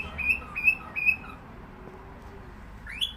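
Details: Three short, evenly spaced level whistles from a cockatiel, about two per second, followed by a quiet pause and a single rising whistled sweep at the end.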